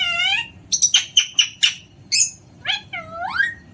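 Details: Playful Alexandrine parakeet starting with a long drawn screech, then a rapid run of five short sharp squawks, then rising nasal calls, loud against a quiet indoor background.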